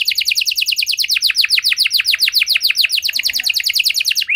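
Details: Canary song used to coax other canaries: a steady series of downward-sweeping whistled notes, about eight per second, throughout.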